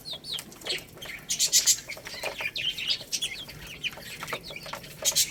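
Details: Rice-eating baby chicks: irregular high peeps scattered through dense clicking and rustling from pecking, with several brief louder clusters.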